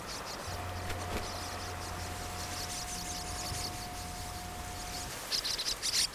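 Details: A Zitting Cisticola nesting with newly hatched chicks in grassland at the Siheung tidal creek, a former salt pan in Korea, sings a steady run of high, sharp, insect-like ticks every fraction of a second, over a faint steady tone and a low hum.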